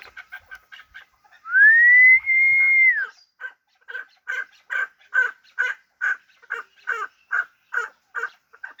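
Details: Hybrid fighting chukar partridge: a long, clear whistle rising and levelling off, then a steady string of rough chuk notes repeated roughly every third of a second.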